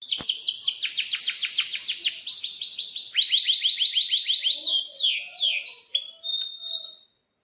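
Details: Canary singing hard in breeding condition, with long rolls of rapid downslurred high chirps. The trills speed up and change tone over several seconds, then end in whistled slurs and a pure held note. Used to coach young canaries.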